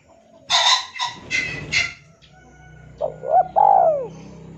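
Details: Male spotted dove calling a rival, recorded as a lure: loud rustling, clattering bursts at first, then a single low cooing phrase of brief notes ending in a drawn-out, descending coo.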